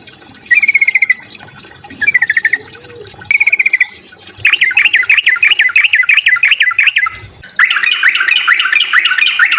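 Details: Yellow-vented bulbul fighting song meant to provoke other bulbuls: three short buzzy trills, then a fast run of repeated sharp chirping notes and a dense, loud rattling chatter at the end.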